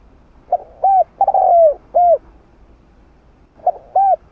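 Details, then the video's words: Spotted dove in the 'hạp bổi' cooing style, played to prompt other doves to coo: a full phrase of five mellow notes, short and long, the longest drawn out and falling, then a short pause and a two-note restart. "Tiếng Cu Gáy Giọng Hạp Bổi 010 [ GỌI +THÚ ] Kích Bổi Nhanh Nổi"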